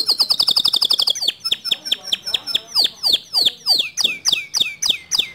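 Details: Male white canary singing a long standard song: a fast trill of rapid repeated notes, then a slower series of downslurred whistled notes repeated about every half second.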